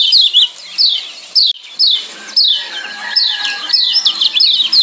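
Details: Captive Lombok yellow white-eye song with a 'ciak' combination, used to calm the birds and make them sing often: rapid, high, sharply descending whistled notes in bright bursts with short pauses, over a soft steady background hiss.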